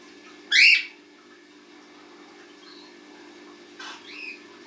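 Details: A cockatiel, with two cockatiel babies and their parent present, gives one loud, harsh screech, then a softer whistled call a few seconds later.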